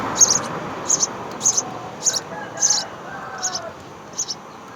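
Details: House sparrow nestlings, three young, begging while mother and father bring food to the nest: bursts of thin, high chirps every half second or so, a faint lower harmonic call behind them.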